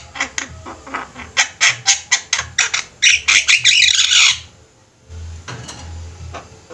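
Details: A lively group of Javan mynas singing together, kept as a master recording for training birds; a fast run of harsh, squawky notes, about four a second, ending in a dense burst of chatter, with a low hum underneath.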